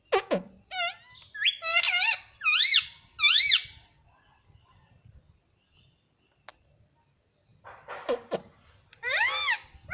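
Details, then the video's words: Pet parrot kept at home, said to talk, saying "mummy" and "papa": bursts of rising-and-falling harmonic squawked syllables in the first four seconds, a quiet pause, then another arched call near the end. "parrot talking mummy papa || papa ka pyara mithu || parrot sound"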